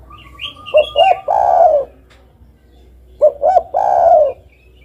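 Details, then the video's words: Spotted dove giving two coo phrases about two and a half seconds apart. Each has two quick notes and a long mellow coo, with thin higher chirps overlapping the first phrase. "ikut gacor dengan suara burung derkuku ini"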